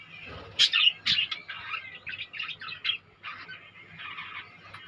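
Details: Budgerigars calling in a colony: two loud sharp squawks open, followed by a run of short chirps and scratchy warbles in quick, uneven groups above a low background hum.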